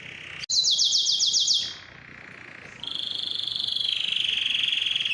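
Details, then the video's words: Canary song aimed at stimulating singing and mating: a burst of fast, sharp high trills for about a second, a softer low roll, then a long, even, pulsing trill that drops slightly in pitch. "علاج صمت الكناري: أسمعه هذا المقطع وسيبدأ بالتغريد فوراً | Make Your Canary Sing"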